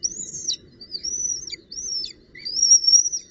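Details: Female northern goshawk at the nest with a branch and prey, 19 June 2018: four thin, high, arched whistles, each slurring up then down, spaced about half a second apart, with a low rustling background.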